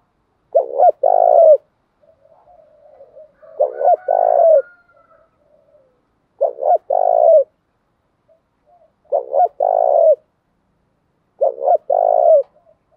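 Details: Spotted doves, male and female, giving a rousing coo meant to stir trained birds into cooing. There are five phrases, each a quick double note and then a drawn-out rolling coo, repeated every two to three seconds, with soft murmurs between.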